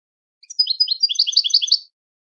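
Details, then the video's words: European goldfinch performing a switty song for song training: a short, tight phrase of high chirping notes that builds into a fast, rhythmic twitter of about one and a half seconds, otherwise silent. "Switty goldfinch singing training your goldfinch to sing on command"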